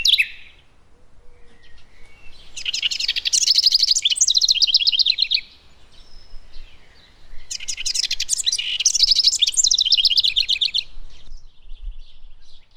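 A wren pours out two loud, rapid cascades of high bubbly trills and chatter, each about three seconds long, with a short pause between.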